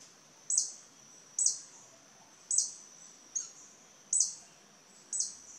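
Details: Violet sabrewing, a large aggressive hummingbird in the wild in Costa Rica, calling to defend its territory: six sharp, very high chips, roughly one per second, with a thin high tone between them in a quiet background.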